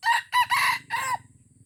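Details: Red junglefowl from Aceh, an original lure bird on its first test, crowing: a hoarse, richly harmonic crow broken into four rough bursts over about a second, ending abruptly, with a faint low rumble behind.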